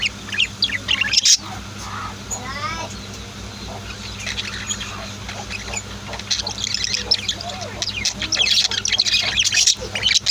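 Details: Household budgies and lovebirds keep up a continuous, overlapping twitter of thin high chirps and squawks, with a rising warbled phrase early on and a louder flurry of tweets in the closing seconds.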